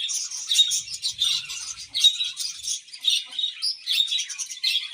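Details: Budgerigars chirping: dense, continuous high chatter of overlapping warbles and short chirps, bursts swelling and fading every half second or so, with no other sounds standing out.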